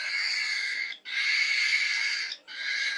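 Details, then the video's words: Falk bird, described as whistling or singing strangely like a pig: two long, harsh, rasping, hissy bursts of about a second each, separated by short silent gaps. "SUARA ANEH BURUNG FALK, COBA TEBAK MIRIP SUARA APA"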